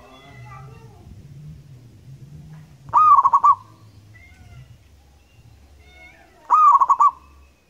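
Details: Zebra dove (perkutut), local wild bird in active song used as a lure, delivering two rolling cooing phrases about three and a half seconds apart, each a sharp onset then rapid pulsed notes, with faint murmuring sounds between.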